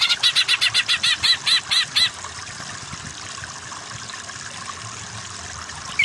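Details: Greater green leafbird in a masteran recording for training other songbirds toward 'kejer' singing: two seconds of rapid, evenly spaced harsh ringing notes, about five per second, then near silence with faint background hiss.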